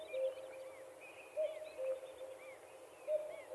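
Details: Two-note cuckoo call, higher note then lower, heard twice on a Finnish summer evening from a dock. Other small birds chirp and whistle with rising and falling notes around it.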